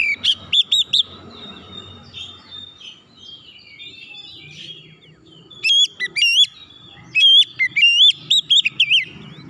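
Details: Lure song of the oriental magpie-robin, meant to draw other birds into song: strings of sweet whistled notes that slur up and down, a softer twittering middle section, then rapid repeated whistles.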